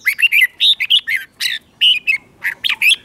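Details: Red-whiskered bulbul kept in a cage, doubled-style song meant for chicks to learn: quick, varied whistled phrases with short gaps, slurred notes swooping up and down, clear and close.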